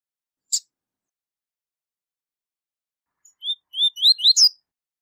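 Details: A single 'tui tui zel zel' phrase from a high-level double-collared seedeater used for teaching young birds, after a brief click and a long silence: quick rising whistles closing with a buzzy accent.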